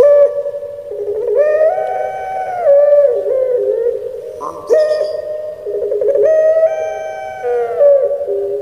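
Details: Barbary dove, puter pelung kept by its owner in Indonesia, giving a 'menangis' crying-style song: drawn-out, rich harmonic coos that swell, waver and slide down, broken by short gurgling 'geruk' notes.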